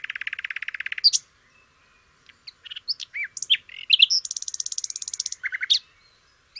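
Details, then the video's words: Flycatcher song used to tutor canaries: opens with a steady buzzy trill, then varied whistles and twitters, followed by a long rapid high-pitched trill and a final sharp note. "kicau burung sikatan londo"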